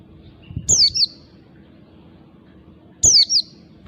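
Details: Oriental white-eye from the wild, a lure bird: two bursts of thin, piercing notes, each sliding steeply downward in a quick doublet, about two and a half seconds apart, with a soft low hum beneath.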